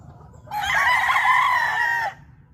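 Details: One Cyborg Grey rooster giving a single sustained crow of about a second and a half, loud and rasping with a level then slightly falling ending, against a quiet low rumble.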